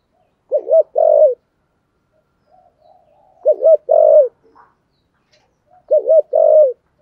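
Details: Spotted dove in 'thúc gù' cooing with a 'thổ sấm' voice: three deep phrases spaced about every two and a half seconds, each a quick wavering double note running into a longer steady coo.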